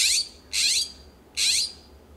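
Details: California scrub-jays calling back and forth in a backyard in Pacific Grove, California, among a wooden fence, coast live oak and Monterey cypress: three loud, harsh, raspy bursts, each about a quarter second long, spaced under a second apart.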